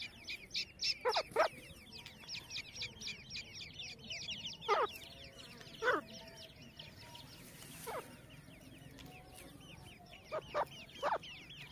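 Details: Grey francolin family foraging for food in jungle; a few sharp, clucking notes stand out at irregular intervals, some in quick pairs and triplets, over a dense background of rapid, high chirping from other birds.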